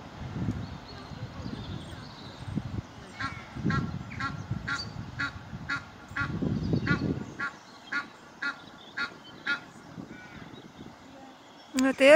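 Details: Egyptian goose goslings giving a run of short, sharp peeps, about two per second, after a stretch of low rumbling background noise, ending with a louder abrupt burst.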